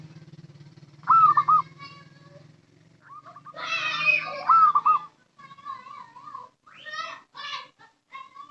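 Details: Local zebra dove lure call with two loud rolling coo phrases and softer short coos, among louder harsh harmonic calls of other birds and a low hum.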